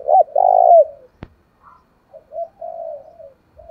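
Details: Spotted dove calling in a fight-provoking manner to attract wild doves. It opens with a loud, deep double coo, then a sharp click. Softer trailing coos follow, one more phrase beginning at the end.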